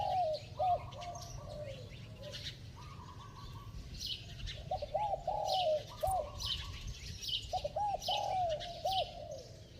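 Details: Spotted dove with a bell-like voice, in a fast cooing bout, cooing in repeated phrases of short looping notes around mid-low pitch, several bouts over ten seconds, with a second voice and faint chirps from other small birds behind.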